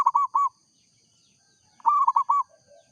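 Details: A local perkutut, the zebra dove, in full song gives a short burst of three rolling, arched coos, then a pause and a second burst of four, with a faint soft coo trailing off.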